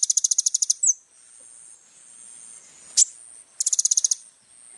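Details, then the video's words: High-pitched little spiderhunter song recorded to tutor young birds: a rapid run of about a dozen ringing notes, a long pause with a faint hum, one sharp chip, then another quick trill. "SUARA BURUNG KOLIBRI NINJA GACOR FULL ISIAN"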